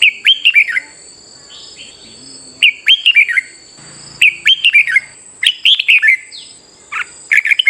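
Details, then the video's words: Red-whiskered bulbul in a morning session used to provoke competitive singing, giving quick bubbling phrases of downslurred whistled notes, about four per burst, separated by short gaps, with a thin continuous high whine behind. "Chào Mào Hót Đấu Sáng | Luyện chào mào hót nhiều loại giọng hay - kích chim hót đấu thúc mộc căng"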